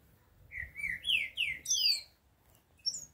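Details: Green-winged saltator singing: a phrase of sweet, slurred whistles rising step by step in pitch, ending with a higher, thinner whistled note after a short pause; faint low background rumble.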